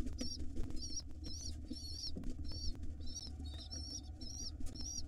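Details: Wild pigeon young begging for food from their mother inside a nest box: shrill quavering squeaks in separate bursts roughly every half second, soft rustling and a low hum in the background.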